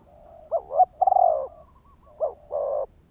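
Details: Decoy spotted dove calling to attract wild birds: a quick rising-falling double note then a long vibrating coo, followed by a softer second phrase ending in a steady low coo; faint wavering notes behind.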